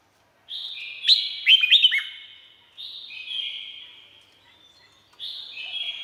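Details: Red-whiskered bulbul from Thailand, used for training cage birds: drawn-out warbling whistles broken by a few sharp, dropping liquid notes, then two more long slurred phrases after short pauses.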